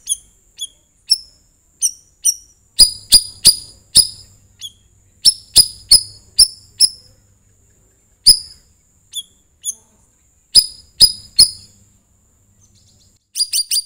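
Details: Sooty-headed bulbul, known locally as cucak rawis, with song meant to lure other birds into singing: steady runs of piercing, high chirps, some in tight loud clusters and others spaced out, with short silent gaps between.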